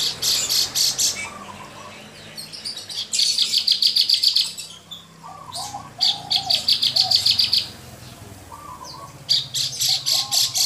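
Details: Mottled Javan bush lark kept in a cage, singing hard: bursts of fast, high rattling chirps lasting one to two seconds, separated by pauses with soft low whistles, three bursts in all.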